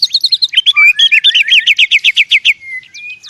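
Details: White-rumped shama fighting in forest: quick high chips, then a long even series of about a dozen rapid ringing notes, ending with drawn-out thin whistles.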